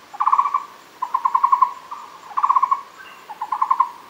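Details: Muller's barbet at Fushan calling in fast, pulsed phrases of hollow notes, four rhythmic bursts close together, each a rapid string of five or six beats, with a faint high hum behind.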